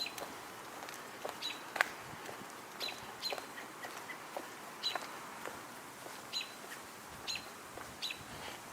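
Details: An American Robin vocalizing near Rice Hall, possibly in response to a nearby flight by another bird, gives thin, sharp high notes about once a second against steady rustling and outdoor background noise.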